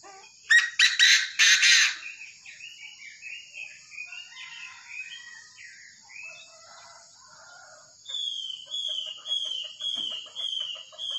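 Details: Tame Chinese francolin gives a loud, harsh, grating burst of about four rapid notes near the start. Softer chirps from other birds follow, then a series of clear, repeated, slightly falling whistles.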